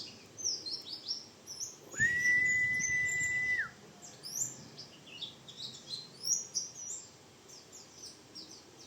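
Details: White-eye of the bustomi type with a rough 'ngriwik' style song, kept as a tutor recording for training birds. High, thin chirps and sweeping trills come rapidly throughout, and a long steady whistled tone runs through the middle.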